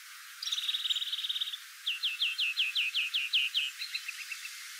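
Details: A European greenfinch, a garden bird, sings a fast, even trill, then about ten quick downslurred twitters at roughly seven per second, ending in softer, quicker notes; its long song is canary-like, with twitters and whistles.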